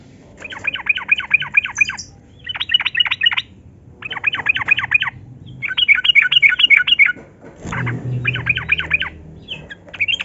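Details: Yellow-vented bulbul in long ropel song, played as a lure for captive bulbuls. Repeated runs of quick chattering notes, six to eight per run, follow each other almost without a break; a low thump is heard near the end.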